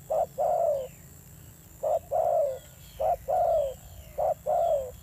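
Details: Spotted dove giving a fierce-toned coo, a decoy bird; low paired notes, a short coo then a longer drawn-out coo, three pairs over five seconds, with faint thin high chirps of other birds in the background.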